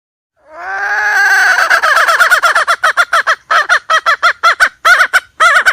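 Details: Hen call recorded for use as bait when trapping: a drawn-out, rich harmonic note rises in strength, then breaks into a fast run of roughly twenty short, clipped clucking notes in an uneven rhythm. No other sounds.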